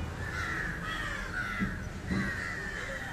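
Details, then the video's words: Three quick harsh caws from an Indian jungle crow (Corvus culminatus) while feeding on fish, over a constant low hum. "Indian Jungle crow (Corvus culminatus) Call and behavior feeding on Fish"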